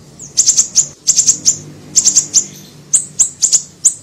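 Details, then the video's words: Siri-siri bird in a recording for luring small birds: very high, sharp chips in tight groups of three or four, then single notes, roughly one group per second. "PANCINGAN PIKAT SUARA BURUNG SIRI SIRI KECIL"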